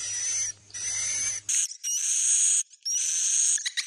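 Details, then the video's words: Swiftlet roosting call: long buzzy hissing notes, each topped by a high, steady or slightly rising whistle, separated by short gaps, with low noise at the start. "Suara Inap Walet Bhayangkari"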